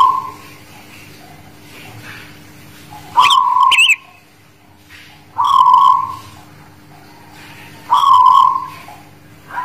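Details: Zebra dove, guling Murio style, singing ('manggung') in Demak: four vibrating coo phrases repeated roughly every two and a half seconds, with two quick, twisting high chirps from another bird near the first.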